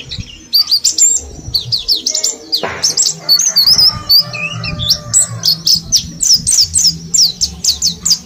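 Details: Caged mountain white-eye from Mount Slamet, kept in a group cage and ten days into learning the wild forest 'ngalas' style. It gives rapid, high, thin twittering in dense chirpy bursts throughout, with one sharp click and a low background hum.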